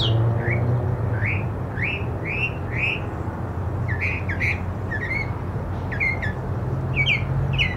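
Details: Mockingbird singing: one rising slurred note repeated about five times in a row, then a switch to quicker paired and trilled phrases, all over a steady low rumble.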